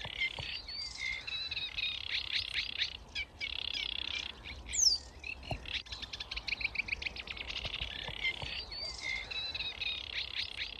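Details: At dawn in the Kent reed beds of Grove Ferry and Stodmarsh in May, several newly arrived sedge warblers give varied song: buzzy rattling phrases broken by short pauses, with brief clicks and sharp notes mixed in.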